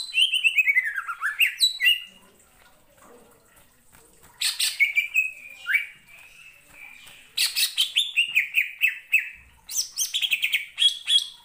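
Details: Greater green leafbird singing after being provoked by another leafbird; falling whistled slurs, then long runs of rapid scratchy chattering notes broken by pauses.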